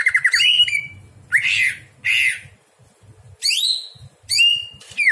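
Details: Greater green leafbird singing at night for training other birds: a short trill, then separate loud harsh notes and rising whistled sweeps with pauses; quiet low hum beneath.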